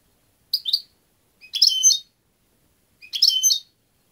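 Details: European goldfinch delivering three bright twittering phrases roughly every one and a half seconds, each a quick jingling cluster of high notes, with silence between them.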